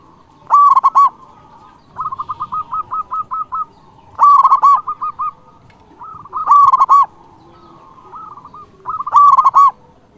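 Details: Local Zebra dove singing to draw rivals and stir breeding drive; four loud, overdriven coo phrases roughly every two and a half seconds, linked by runs of rapid short notes.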